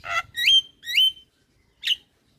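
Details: Starling song used as a lure to prompt silent birds to sing: a harsh buzzy note, then two loud upslurred whistles and a short squeaky chirp, in clean silence.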